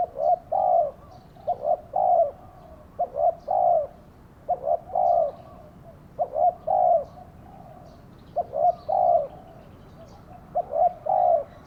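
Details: Caged spotted dove used as a lure to draw in wild doves, in a trapping session; low, soft coos in short two- or three-note phrases, a brief note then a longer rolling coo, repeated about every second over steady background hiss.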